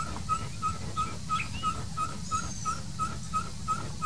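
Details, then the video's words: A small-billed tinamou (inhambu chororó) in the caatinga gives its long call, a steady series of short, clear whistled notes about three per second, over a low rumble with faint other birds. "A INHAMBU CHORORÓ CANTOU O PIO LONGO"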